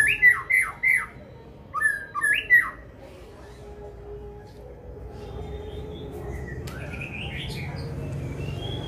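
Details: A mutant white-rumped shama singing: two quick bursts of three rich rising-falling whistled phrases, then quieter scattered whistles and a faint rising note against low steady background noise.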